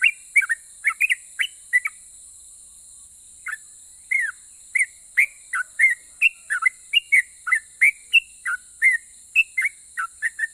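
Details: Sooty-headed bulbul, a keen singer whose rapid, long song provokes replies from other bulbuls. Clusters of quick whistles, a pause of about a second and a half, then steady slurred notes about twice per second with a thin hiss throughout.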